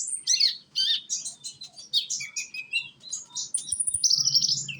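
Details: Young konin sunbird from Indonesia singing as a lure for other birds; a dense, busy chatter of very high twittering notes with thin whistled slides, and a faint low hum beneath.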